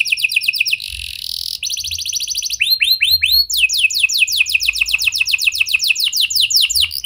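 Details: Lure song from a canary, in prenjak and lovebird style, meant to set quiet canaries singing: buzzy trills broken by a brief harsh burst, then repeated swooping whistles and a long series of quick downslurred notes.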